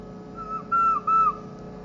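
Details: Captive green ringneck parrot whistling the Hindi film song 'Tujhe dekha to ye jaana sanam' at home: three clean, level, pure whistled notes, the last two longer and dipping slightly at their ends, over a constant low indoor hum.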